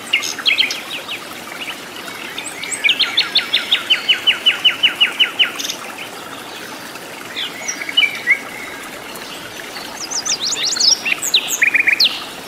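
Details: Sikatan londo flycatcher in the wild, singing a lively song: a long, even series of rapid high ticking notes, then a pause, then a further scattered burst of sharp chirps and trills, over steady stream-like background noise.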